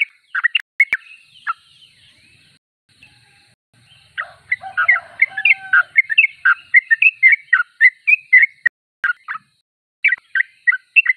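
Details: Vigorously singing yellow-vented bulbul. A few sharp chirps open, then a quiet stretch with a faint low whistle, followed by a lively run of bubbling, warbled notes repeated rapidly.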